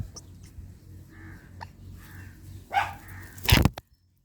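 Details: Ringneck parrots fighting: after a stretch of low hum with faint mid-pitched notes, two loud, harsh, broadband squawks burst out close together near the end, then silence.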